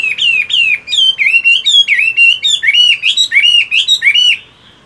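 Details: Caged Chinese hwamei in moult during morning voice training: a fast, continuous string of loud, rich whistled notes, each swooping up then down, repeated in a rolling rhythm for over four seconds.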